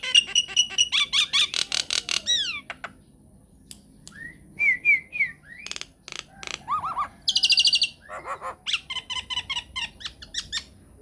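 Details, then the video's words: Myna song played as a lure so that other mynas answer: a fast, varied mix of sharp clicks, clear whistled notes, a rising sweep and a harsh buzzy burst, delivered loudly in rapid sequences. "PANCINGAN / MASTERAN SAKTI UNTUK SEMUA JENIS JALAK, JALAK APA SAJA AKAN NYAUT | MYNAH BIRD"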